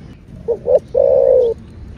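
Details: Spotted dove giving a 'thổ bầu' style calling coo: two short hooting notes, then one long, low, smooth coo that slides gently downward, over a faint background hiss.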